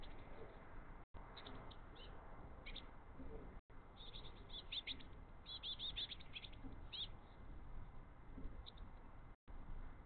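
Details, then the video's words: Eurasian blue tit fledglings, three of them, eagerly begging and mobbing the father bringing mini-mealworms; clusters of short high chirps, densest in the middle stretch, with a constant low hum underneath. "3 Baby blue tits want mini-mealworms."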